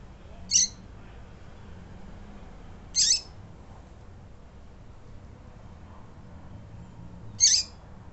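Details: Female double-collared seedeater calling to excite males, three brief sharp high notes spaced two to four seconds apart against a faint low hum.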